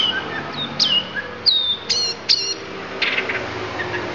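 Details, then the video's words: Oriental magpie-robin of Lampung type singing isian fill-ins: sharp high whistled notes sliding downward, repeated in separate bursts about half a second apart, then a rougher chattering ending. "Kacer Lampung Keluarkan Isian"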